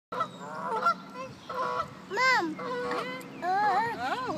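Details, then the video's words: Ducks being fed make a ruckus of loud nasal honking quacks, several overlapping calls in quick succession with rising and falling tones, over steady background noise. "Quacking ducks"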